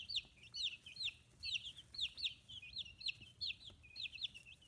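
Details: Fifteen-day-old chicks, feathers emerging, free-range rearing in Kitahiroshima, Hiroshima: high, piercing peeps in quick pairs and runs, downslurred and repeated steadily over a quiet background.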